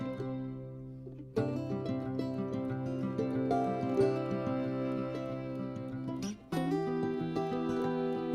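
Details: Bright plucked-string music, mandolin-like, plays steadily with sustained chords and a brief pause near the middle; no animal voices.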